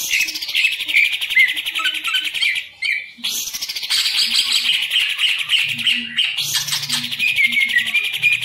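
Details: Caged green leafbird kept as a hobby songbird: a dense, rapid, high warbling song of chattering and trilled notes, running almost without a break apart from two short pauses, over a faint low hum.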